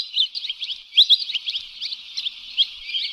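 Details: Lesser whistling duck lure recording, quieter and steady: many small overlapping whistled chirps with a few sharper notes standing out.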